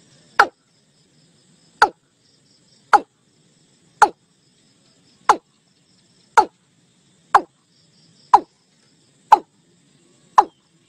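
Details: Watercock calling its flock, the sound used to pull birds into a net: ten brief, downward-sweeping clucks repeated roughly every second at a somewhat uneven pace.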